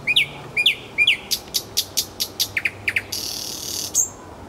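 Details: Nightingale song in Kuzminki forest park, Moscow: three sharp downslurred whistles, then a rapid series of dry clicking notes about four per second, ending in a hissing buzz and a brief high whistle.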